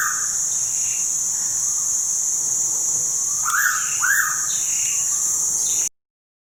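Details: Pitta calling at Tha Pom in Krabi: two clear, slurred whistles about half a second apart midway through, under a constant shrill insect hum, with scattered thin chirps from other birds.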